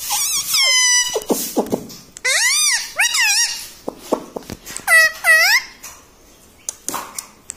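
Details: Indoor talking rose-ringed parakeet repeating words like 'mummy' and 'mitthu', producing clear rising-and-falling voice-like syllables with rich overtones, short clicks between them, and a pair of arched word-like calls near the end.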